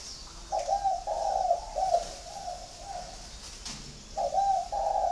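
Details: Captive spotted dove in a Hanoi-area bird garden uttering a drawn-out run of coos, several linked notes, then starting another phrase after a short pause, with faint rustling between.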